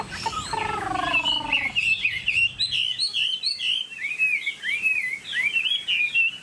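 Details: Tame caged Chinese hwamei, a prized songbird associated with Vietnam's northwestern mountain forests, sings fast, varied whistled phrases that warble up and down. The song is preceded by a brief lower, harmonic-rich sound at the start.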